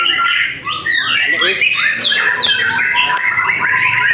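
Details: Freshly moulted white-rumped shama competing in an Indonesian bird singing contest, bowing while singing. Loud sweeping whistles, downslurred notes and rapid twittering bursts, with other songbirds and people audible behind.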